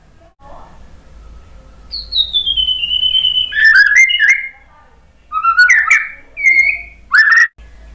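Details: Song of a white-rumped shama, played to provoke a quiet caged bird to answer: a long descending whistle followed by clustered warbled notes and short emphatic phrases separated by pauses, faint low hum underneath.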